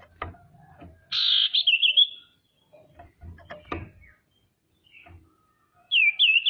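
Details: Female common iora calling to rouse rival birds: a bright buzzy note breaking into a wavering trill, then light knocking and clicks, and a second wavy trill beginning near the end.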